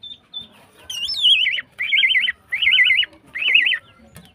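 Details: Female greater green leafbird in breeding condition, used to make silent males sing; a few high chips, then four rapid warbling trills with a wavering, rolling quality, each about half a second long.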